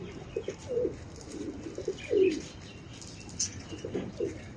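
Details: Pigeons in Bangladesh, being fed pathorkuchi leaves by a child, give soft low coos in short rolling bursts, repeated several times across the clip, with light rustling and faint background noise.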